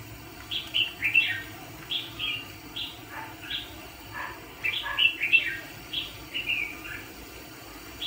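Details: ['Decoy red-whiskered bulbul used to trap fighting birds gives clear, lively chirped and warbled phrases in quick succession, some rising then dropping, over a quiet background.']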